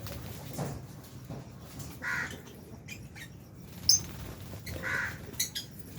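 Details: Aviary lovebirds, Albino and Fisher's, sharing space with budgie parrots at meal time; a few separate sharp squeaky chirps spaced about three seconds apart over faint rustling and steady low hum.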